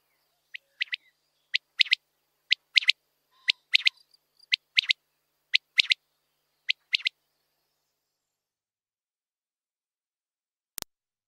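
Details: Common quail calling a steady series of crisp, clipped notes, mostly in pairs or threes, about every second for seven seconds. Silence follows, broken by a single sharp click near the end.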